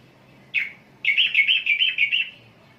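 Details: Sooty-headed bulbul: one brief bright note, a short pause, then a bubbly run of six quick warbled notes, steady in pitch, against a quiet background.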